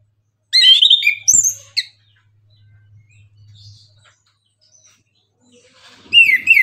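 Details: Morning song of an orange-headed thrush, or anis kembang, used to provoke other birds to sing: brisk clusters of shrill, varied whistles at the start and again near the end, quiet in between.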